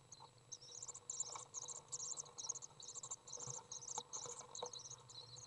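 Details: Nest-box recording from June 18th 2011 of a Common swift parent feeding a young: the chick keeps up a continuous high, scratchy chittering of quick buzzy bursts, with soft knocks and a low hum beneath.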